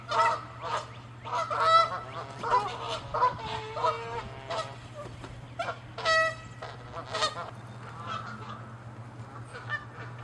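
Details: Canada geese in a territorial fight, attacking and chasing; a burst of loud overlapping honks in the first half, then scattered single honks with gaps, over a constant low hum.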